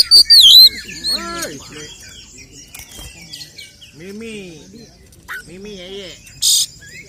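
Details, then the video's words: Oriental magpie-robin (kacer) fighting song meant to provoke other males: an opening high, wavering whistle, softer lower warbled arcs through the middle, and one harsh, loud burst near the end. "Kacer gacor 🔥TARUNG KONSLET nembak BUKA EKOR pancingan efektif UNTUK mendongkrak EMOSI burung KACER"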